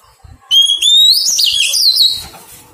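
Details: A freshly captured Oriental magpie-robin being tamed delivers one long phrase: a pure whistle climbing gradually, then rippling, looping warbles that trail off; light clicks precede it.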